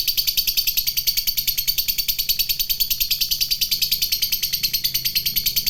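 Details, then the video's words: Lovebird fighter performing the long ngekek chatter meant to provoke other lovebirds. Very regular, rapid high chattering notes pour out at about three per second for the whole stretch. "Suara Burung Lovebird Fighter Ngekek Panjang"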